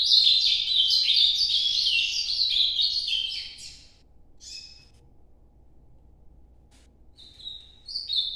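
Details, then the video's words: Ultramarine grosbeak in Nordeste-style song, a fast warbled phrase of tumbling high notes lasting several seconds, then a pause broken by a few short whistled notes. "Canto Nordeste Azulão Noturno"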